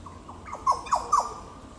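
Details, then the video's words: Yellow (Green) Oriole (Oriolus flavocinctus) at Goomboora Park, Cairns, Queensland, Australia, 9 September 2022, giving a quick run of three or four liquid, slurred notes dipping and rising around mid pitch within about a second. "Yellow Oriole (Oriolus flavocinctus)"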